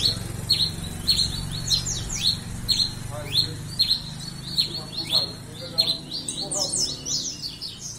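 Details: Red-crested finch, called tico-tico-rei-cinza, singing a run of bright, high, down-slurred chirps about twice a second against steady low-pitched background noise.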